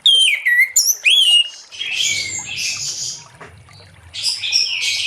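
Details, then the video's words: Loud, clear whistled phrases of an orange-headed thrush singing 'ngeplong' in the late afternoon to stir other thrushes, dropping and rising quickly, followed by a softer, scratchy warble and faint high twittering. "Anis Merah Ngeplong Sore Hari💥Pancing Anis Merah lain Cepat Bunyi"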